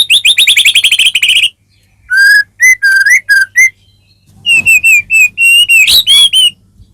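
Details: White-rumped shama full song used to stir a caged bird into singing: an opening rapid rattling trill, then spaced clear whistled notes and a run of fluty, wavering phrases, with a faint low hum beneath.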